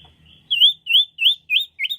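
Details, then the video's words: Lively Common iora song used to attract birds: five separate ringing, high whistles, each curving up and then down, spaced about a third of a second apart, on a clean, quiet background. "sirtu gacor atau cipoh gacor"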